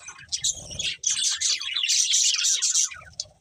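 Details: Budgies sing while eating: rapid, high, buzzing chatter starts after a soft low rustle, runs steadily for about two seconds, then fades into quiet pecking sounds.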